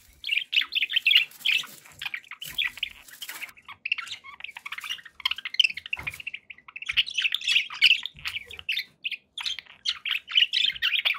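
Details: Several caged pet budgies chatter without a break, layering rapid high chirps, scratchy warbles and brief squeaks into one busy, lively stream.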